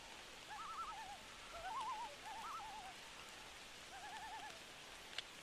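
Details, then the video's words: On a rainy night loons give overlapping rapid wavering tremolos, several phrases at slightly different pitches trading back and forth, with steady rain hissing beneath. "Haunting Loon Call On A Rainy Night"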